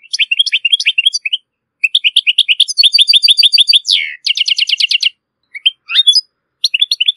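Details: European goldfinch song recorded for teaching goldfinch and hybrid chicks to sing, Morocco; loud, fast twittering phrases of liquid trills and buzzy notes, one descending slur near the middle, short pauses between bursts, no other sounds.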